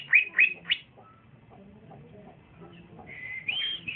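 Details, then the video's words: Young male green leafbird (cucak ijo), a caged bird just starting to sing: three sharp upswept whistled notes, a quiet gap with faint low background sounds, then a longer warbled whistle. "c ijo trotolan jantan masih muda udah bunyi mantap"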